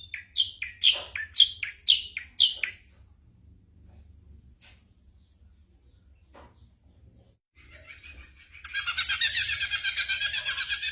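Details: Ashy drongo mimicking gunshots and other birds' voices, used as tutor song for magpie-robins during moult. Five quick, bright two-part whistled phrases, a quiet pause, then a dense, buzzy, high chatter.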